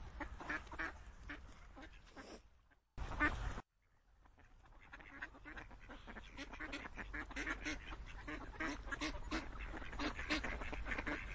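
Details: A flock of ducks giving overlapping quacks after a brief break in the recording, the chatter building into a dense, steady chorus of rapid nasal calls.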